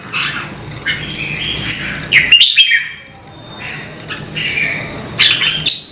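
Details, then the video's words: Red-whiskered bulbul phrases, slurred and warbling, over steady background hiss. Thin, high, rising whistles and sharp clicks occur at the start and end. "CHÀO MÀO | Kích chim nhạy hót - Thúc chim hót hay căng lửa"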